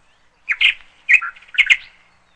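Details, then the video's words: Bird giving three sharp, bright chirping bursts, some doubled and slightly squeaky, spaced about half a second apart against quiet background. "BIRDS SOUND"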